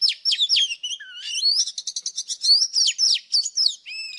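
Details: Old wild Oriental magpie-robin singing in the morning, used as a trapping lure: a rich, fast medley of clear whistles, sweeping slurs and chattering notes, including a low dipping whistle near the middle and bright repeated phrases to the end.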